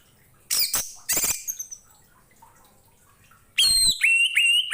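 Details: Orange-headed thrush song meant for tutoring other songbirds: two harsh, rasping bursts, a quiet gap, then a rapid string of bright whistled notes mixed with scratchy chatter.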